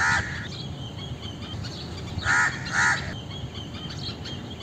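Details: Indian crow calls: a single hoarse caw at the outset, then a pair of loud grating caws in quick succession midway, with soft bird chirps and a low rumble behind.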